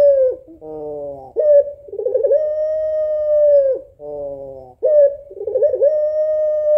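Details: Female puter pelung African collared dove calling the male: a throaty rolling purr followed by a long sustained level coo, the pattern repeated twice, with a quieter warble inside each long note.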